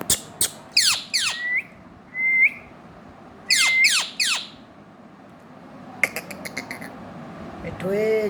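An Indian ringneck gives harsh, sharply falling squawks in two quick bursts, mixed with short flat whistles, then a few clicks and a rough chatter indoors.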